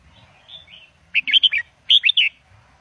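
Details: Red-whiskered bulbul song in the Indo double style, played to teach young birds: two quick bursts of bright, bubbling warbled notes, rising and falling, with a short pause between them. The background is quiet.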